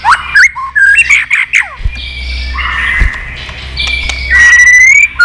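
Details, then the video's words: White-rumped shama, an old wild-caught bird, fired up for contest singing with many voices: bright whistled phrases and harsh chattering notes, a quieter wavering stretch, then a long clear rising whistle near the end. "chòe lửa già rừng giọng chất. kích chòe lửa sổ nhiều giọng. chòe lửa căng lửa tạch đập đuôi liên tục"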